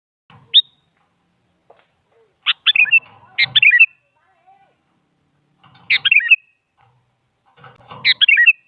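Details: Sooty-headed bulbul, a female calling a male, used as a lure to make a silent bulbul answer: a lone high chirp, then bubbly clusters of quick falling and rising notes in three bursts a few seconds apart, with faint low rumble.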